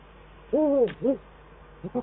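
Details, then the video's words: Eurasian eagle-owls, male and female, duetting at the nest in the Eifel on 22 December 2012, the male on the nest and on a lower branch: one long, arched, rich call, then a shorter one, with faint short notes at the end. "Uhu Eifel 2012-12-22 Man op nest en bij tak "downstairs" - duetten Man en Vrouw"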